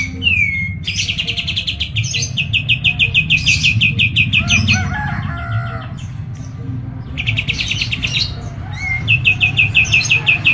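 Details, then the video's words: Medan-type kapas tembak white-eye in fast rolling song: a rising whistle, then long runs of quick, sharply repeated high notes broken by buzzy twittering, over steady low background rumble. "KAPAS TEMBAK MEDAN GACOR ISIAN SUARA PEDAS NGEROLL SPEED NEMBAK EDAN LEPAS TROTOL"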